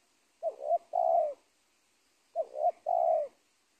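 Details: Spotted dove, the dominant bird of a former cornfield, caught at the edge of a teak plantation. It gives two low cooing phrases. Each is a quick wavering double note followed by one long, drawn-out, falling coo, with quiet gaps between.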